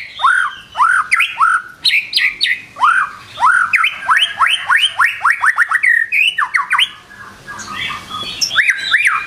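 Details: Morning song of a white-rumped shama, used as a lure to get birds singing: clear rising whistles repeated quickly, speeding into a rapid string of upswept notes, then softer twitters and a final pair of rising whistles.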